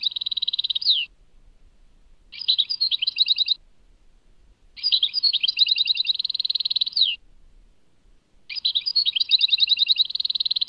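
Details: European goldfinch song from Tadmait: four bursts of dense, rapid, buzzy trilling with interspersed slurred chirps, separated by roughly one-second silent gaps.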